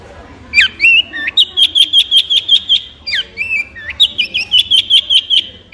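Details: Long-tailed shrike singing clear whistled phrases: a descending slur and short warble, then a rapid even series of ringing notes repeated about five times a second, the pattern given twice.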